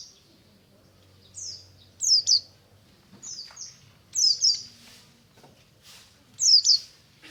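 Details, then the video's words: White-eye in morning ngalas song, given as scattered pairs of high, sharp, descending chirps with quiet gaps between them, over soft low background noise. "BURUNG PLECI NGALAS DI PAGI HARI"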